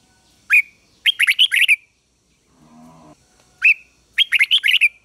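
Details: Decoy red-whiskered bulbul singing to draw rival birds in to fight: a single sharp upslurred note, then a quick run of chirpy warbled notes, repeated twice with a soft low rumble in between.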